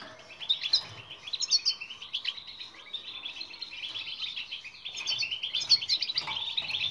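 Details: European goldfinch delivering fast batbata twittering meant to coax silent birds into song; continuous tinkling, buzzy chirps and trills rising to sharp high notes, with slightly louder bursts near the start and end.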